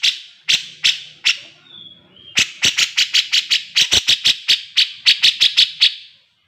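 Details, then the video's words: Grey-cheeked bulbul singing, recorded as a master track for training cage birds: spaced sharp chirps, a brief whistled slur, then a long rapid series of loud repeated chip notes at a steady pace. "burung cucak jenggot gacor || masteran cucak jenggot"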